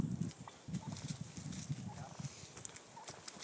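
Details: Wild turkey males fighting for dominance on California's central coast; low, choppy, rapid clucking and rattling calls pulse throughout, with scuffling and a few faint higher squeaks.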